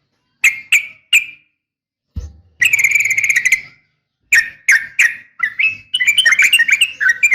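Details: A female Yellow-vented Bulbul calls to a male: three clear whistled notes, then a long fast chattering phrase, then more separate whistles and a busy warbled run. A brief low thump is heard early on.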